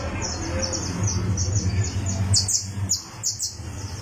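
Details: Criollo canary tuning its song on a tournament perch: a fast, high trill of repeated notes gives way to a few louder, clipped high notes, over a steady low hum.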